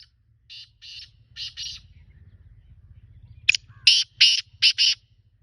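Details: Kala teetar, the black francolin, giving its call: a first run of four hoarse, buzzy notes, then a louder sequence of a short clipped note followed by four harsh, grating syllables, with low background hum.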